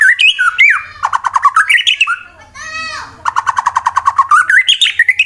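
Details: White-rumped shama of fighter type, used to provoke rival birds into singing, in Wonosobo, Central Java, Indonesia; varied whistles and rapid repeated notes, a harsh buzzy burst midway, then a fast rhythmic series of repeated notes.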